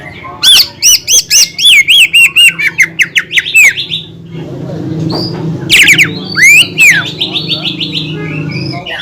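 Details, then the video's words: Greater green leafbird song meant to provoke other leafbirds: a fast series of ringing whistled notes, a pause under low droning noise, then sharp looping whistles and chatter. "PANCINGAN CUCAK IJO GACOR YANG BIKIN BURUNG CUCAK IJO LAIN EMOSI DAN LANGSUNG GACOR"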